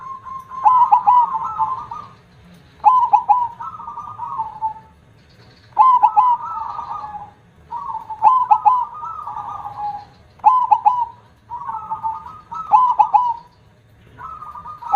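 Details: Zebra dove, locally perkutut, singing eagerly in the big 'kong' voice style: repeated low cooing phrases, each of stuttered notes followed by a rolling trilled coo, about one every two seconds across the recording.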